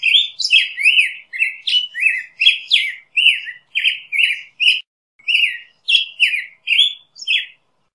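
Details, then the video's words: Black-headed grosbeak delivering a steady series of clear, slurred whistled phrases, each dropping in pitch, repeated roughly every half second with one short break midway; clean recording without background noise. "Black-headed Grosbeak Song! Call! Singing! - Picogrueso Pechicafé Canto"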